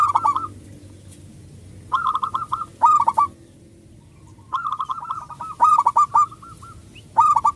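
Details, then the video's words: Loud local zebra dove, a lure that sets other doves singing: four separate bursts of quick, rolling coos separated by quiet gaps, with crisp clicking over each burst. "perkutut lokal gacor suara besar pancingan super ampuh"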